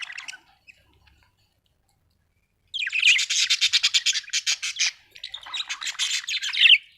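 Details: Happy budgerigar chirping: a brief chirp, then silence, then a long dense run of rapid scratchy chattering pulses for about two seconds, a short pause, and a second warbling burst ending in a loud squawk.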